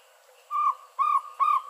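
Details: Jungle owlet calling: three clear, hollow, mid-pitched notes, each about a quarter second long, evenly spaced roughly every half second, on a quiet background.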